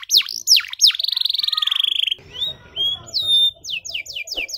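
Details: Canary song for young canaries to learn: sharp falling whistles, a long buzzy trill, then softer notes over a patch of faint background murmur before more downsweeping whistles.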